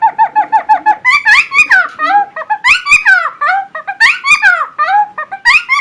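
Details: Helmeted friarbird giving loud song meant as a master recording for other birds: bursts of bubbling, chattering notes with rising and falling slurs, broken by short pauses and repeated low two-part whistles.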